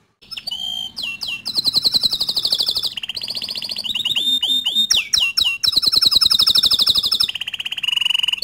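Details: Atlantic canary singing to provoke other canaries into song: loud, varied phrases of rapid buzzy trills, high whistled notes and fast repeated chips, switching tour every second or two.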